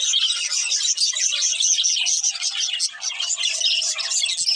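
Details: Nonstop chirping from a breeding pair of budgerigars, a loud dense warble of rapid twitters and squeaky high notes that barely pauses across the recording.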